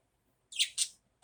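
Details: Budgerigar in the morning giving two quick, bright, scratchy chirps in close succession, followed by a faint third note; quiet room otherwise.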